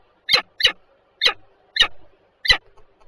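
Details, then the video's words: Peregrine falcons, a pair at Warszawa Żerań, Poland, on 14 February 2023 at 7:47. Five harsh, grating calls come at uneven intervals of about half a second. A faint low hum sits underneath. "sokoły wędrowne"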